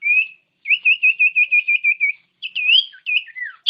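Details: Common iora song used to make lazy caged birds sing. A rising whistle leads into a steady rippling series of about ten quick wavering notes, then looping, descending whistled phrases.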